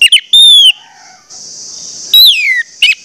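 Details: Orange-headed thrush singing to prompt others of its species to sing: a sustained bright whistle, then a pause with steady hiss, then a loud whistle sliding steeply downward, followed by a few sharp notes.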